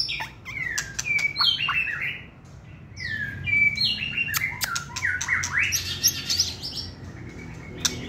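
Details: White-rumped shama, caged, a competition songbird with a short tail, pouring out a dense run of sweeping whistles, downslurred notes and harsh chattering, with rapid phrases repeated almost continuously.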